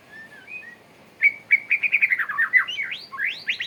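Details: Male white-rumped shama courting, a bright run of whistled and chirped notes around the upper-middle range, starting with soft slurred whistles, then a rapid varied series of sharp rising and falling phrases, some sweeping upward.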